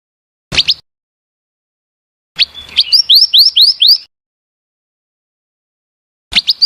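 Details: Scarlet minivet female calls: a brief double chirp, then a burst of about six upslurred whistled notes, and another chirp at the end.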